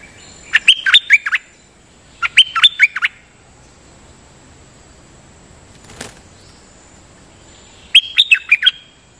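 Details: Sooty-headed bulbul decoy song, a bird described as a champion fighter that is seldom taken out and keeps doubling its phrases: three bursts of quick, sharp whistled notes near the top of its range, separated by pauses, with faint background hiss.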